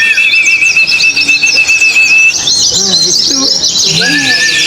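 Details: Oriental white-eyes singing in a contest at the hanging poles. Rapid high chattering trills sit over a long level whistle, then bursts of quick warbling notes, with faint human voices low beneath.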